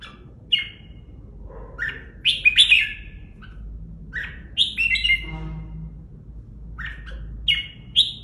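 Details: Caged red-whiskered bulbul kept in a training cage in Vietnam, singing short loud, liquid whistled phrases, some rising and falling, separated by pauses, over a low steady hum.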